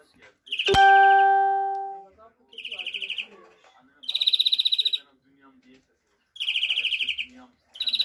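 A European greenfinch sings short, bright, rapid twittering trills in bursts about every two seconds; a ringing bell-like chime sounds once at the start.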